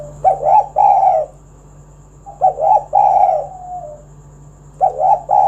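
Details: Spotted dove calling to draw other doves into singing: hoarse, low two- and three-part coos repeated roughly every two seconds, with a constant low hum and a thin high tone underneath.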